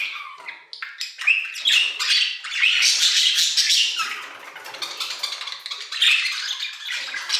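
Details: Budgerigars in an aviary giving continuous chattering song, a busy mix of raspy warbles, short whistles and squawky notes that swells and fades without pause.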